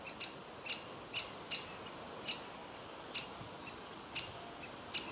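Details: Young woodpecker begging from its tree cavity while the parents want it to leave the nest; loud, high, squeaky chirps spaced about half a second apart, some doubled, over light background hiss.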